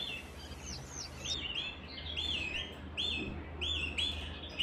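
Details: Canary singing: a run of short, bright warbled notes, each phrase rising then dipping, with ringing upper overtones, over a steady low hum.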